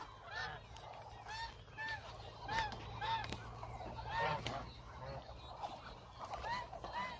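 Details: Hungry flock of about a thousand Muscovy ducks walking about, many birds calling together in short rising-and-falling honking notes that overlap continuously, with a low steady hum underneath.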